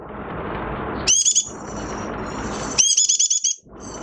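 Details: Oriental white-eye in minor moult, a caged songbird, sings two quick bursts of high, rapidly repeated chattering notes about two seconds apart, with a continuous low hiss of background noise between them.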